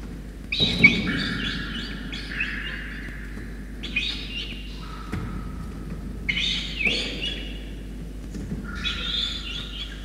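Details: Begging from a peregrine falcon youngster fed a soaked starling by its wet parents, Orange, New South Wales, 5 November 2021: rough, wailing screeches in separate bursts about every two to three seconds, with faint background noise.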